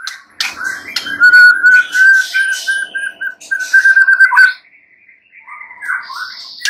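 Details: White-rumped shama song for rousing a silent shama to answer and sing: a run of clear whistled notes near one pitch, repeated fast and evenly, with sharp clicks early on and a brief high rising phrase after a pause.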